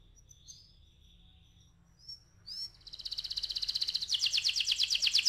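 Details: Canary rolling song used to prompt other canaries: faint thin whistles, then a rapid rolling trill that swells steadily louder and grows into pulsing, buzzy notes.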